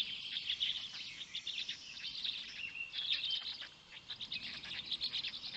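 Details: Black storks at a nest in Poland's Notecka Forest, 6:09 am on 19 May 2020, a parent feeding storklets while the smallest lags behind; busy high-pitched squeaky chirps overlap in uneven bursts, with a brief quieter dip near the middle.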